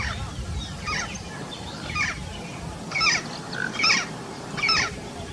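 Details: Yellow-faced parrot giving a series of five harsh, raspy squawks at roughly one-second intervals; the first two are fainter and the last three louder and fuller, over a steady low rumbling background.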